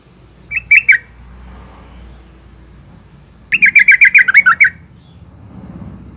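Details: Female yellow-vented bulbul calling to stimulate males: a brief three-note bubbly burst, then a longer run of about nine quick gurgling notes dipping lower toward the end, over light low noise.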